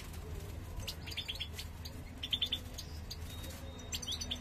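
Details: Male European goldfinch urging the female to build a nest so they can breed: brief high twittering notes in short bursts, mostly around the middle of the recording, over a steady low hum.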